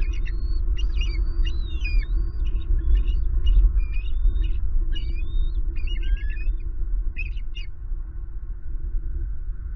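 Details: Wild adult pair of bald eagles at their nest tree in Southwest Florida, calling in alert as a juvenile eagle flies over, guarding their first-hatched eaglet; a male arrives carrying grass. Rapid series of high thin chirping, squealing notes, roughly repeated, over steady low rumble.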